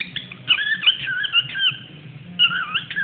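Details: Pet cockatiel singing indoors after listening to Foo Fighters music, with a person talking: a busy chattering warble of squeaky, wavering syllables in quick bursts, pausing briefly before a final run; low voice murmur underneath.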